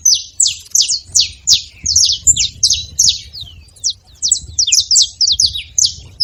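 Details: Saffron finches in the wild making noise: a steady stream of high, sharp chirps and slurred notes, several each second, with faint low background hum.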